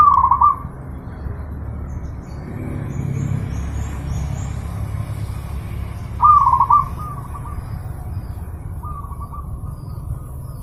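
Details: Zebra dove song from a master recording for training pet birds, described as very clear and lively: a rapid staccato cooing phrase at the start, another at six seconds, and a softer trailing phrase near nine seconds, over a steady low rumble.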